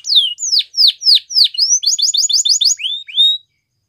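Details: Canary singing: loud high downslurred whistles repeated about three times a second, then a quick rattling series of clipped notes and two rising slurred whistles to finish.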